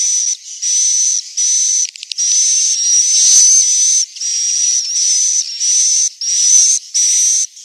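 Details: Swiftlets from Central Sulawesi giving a roosting call: harsh buzzy hisses carrying a high whistled tone, in regular bursts of about half a second separated by brief gaps, over and over.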